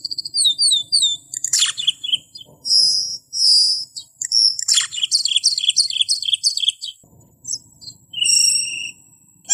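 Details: A camperling's lively high song for tutoring: looping whistled notes, shrill sustained whistles, a rapid chattering sequence of repeated syllables, then a lone bright whistle.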